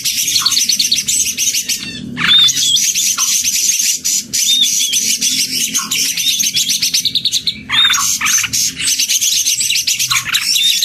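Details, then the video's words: Leafbirds, males and females, chorus in a busy wall of rapid chirps and trills. Brief whistled upslurs recur, and louder bursts come at intervals of a few seconds. "CAK IJO dalam paduan suara"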